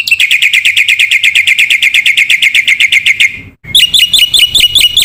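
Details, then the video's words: Black-winged myna cage-bird training song with fill-in phrases for young birds: a long, very fast trill of clipped high chirps lasting over three seconds, then a short silence and slower, hooked whistled notes. "masteran jalak putih gacor full isian pancingan jitu burung jalak muda"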